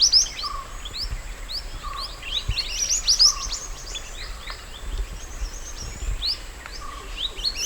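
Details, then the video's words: Natural mountain white-eye song meant as master for training birds: scattered bright high chirps and short twittered phrases over faint background noise, with a lower flat whistle recurring every second or so. "MASTERAN SPESIAL MANTENAN GUNUNG ASLI ALAM"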